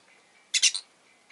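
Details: Rosy-faced lovebird (Agapornis roseicollis) gives a brief harsh, buzzy chirp in three quick loud pulses, followed by near quiet with a faint thin tone in the background.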